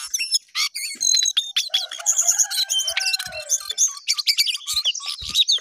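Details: Jongkangan singing vigorously, rapid varied chatter of high chirps, trills and sharp notes with rising and falling whistled phrases, a few lower slurred notes near the middle, continuous with brief pauses.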